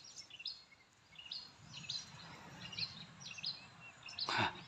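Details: Oriental magpie-robin, an adult the observer calls a male, singing a lively run of varied high, slurred whistled phrases, several per second, near oil palms by a plantation where its young may be calling, over steady outdoor noise.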